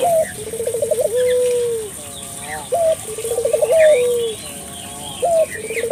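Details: Barbary dove calling vigorously, used to make local doves call too; two full phrases of a bright opening note, rapid rolling trill and long sliding coo, with quiet low coos between and faint chirps.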